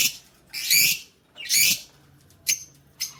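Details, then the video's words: Lovebirds singing, recorded 20 February 2024. Two long bursts of shrill, raspy chattering are followed by two short sharp chirps, with quiet pauses between them. "love birds sounds singing"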